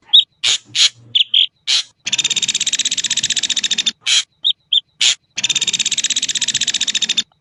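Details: Ashy drongo alternating harsh chattering bursts and short clear whistled notes with two long, rapid, buzzy rattling trills of evenly repeated high pulses; a quiet setting with no other birds.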